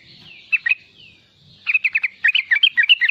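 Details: Young sooty-headed bulbul singing in the riwikan style for luring other bulbuls: a faint thin slurred whistle and two separate chips, then a lively rapid run of warbled notes.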